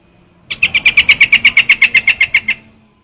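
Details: Trao trảo bird lure call, a short burst of around fifteen fast, evenly spaced scratchy notes lasting two seconds.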